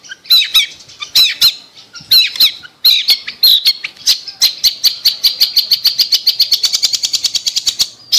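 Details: Long-tailed shrike lure recording to prompt a quiet shrike: spaced pairs of harsh, wavering notes, then a steady accelerating series of short sharp notes repeated several times a second.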